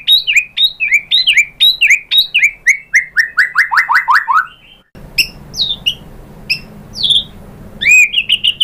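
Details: White-rumped shama song meant to make listening birds answer: a rapid series of descending whistled notes, about two a second, turning into a fast falling run, then scattered high chirps over a soft background hiss.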